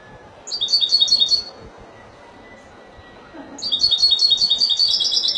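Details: European goldfinch singing in the Spanish Malaga style: a short, rapid run of high tinkling notes, a quiet stretch, then a longer bright trilled phrase that carries to the end.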